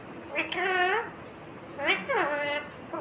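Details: Green ringneck parrot speaking two harmonic, speech-like phrases, the second with a rising then sliding tone, over faint background hum.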